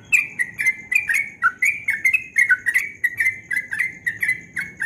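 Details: Yellow-vented bulbul singing at dawn in the rapid ropel style, called very melodious: a dense stream of short whistled notes, each dipping or sliding, about three per second, over a faint steady high whine and low rumble.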